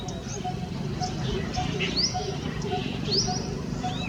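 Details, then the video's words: Monotonous low tuk-tuk-tuk of a coppersmith barbet, evenly spaced at roughly two to three notes a second. Sharp, rising high chirps from another bird cut in, over a low background hum. "Birds Calls & Sounds - Coppersmith Barbet"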